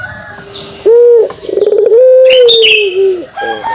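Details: Pelung dove giving its kugeruk call: a low, steady cooing note with a brief pulsed, rolling section, then a long smooth coo that dips slightly at the end. Faint high chirps from other birds in the background.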